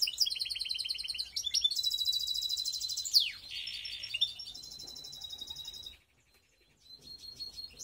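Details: Baster canary from Skopje pouring out loud rolling trills and buzzy tours, one sharp descending sweep, a low harsh roll, then a pause and a soft thin whistled tone resuming.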